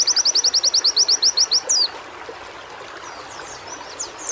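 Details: White-eye song played as daily therapy audio to stimulate caged birds to sing: a fast run of about thirteen identical very high notes, then a quick downward slur and faint scattered high chirps.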